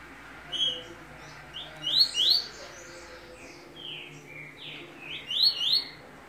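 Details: Double-collared seedeater singing while coming out of moult. High, thin whistled notes sweep up and down in short phrases, with two main bursts around two and five and a half seconds. Steady hiss and low background noise run throughout.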